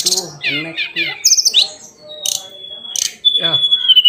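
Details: Song of the hill blue flycatcher (sikatan cacing): a quick jumble of warbled notes, followed by long, pure, steady high whistles broken by brief chips.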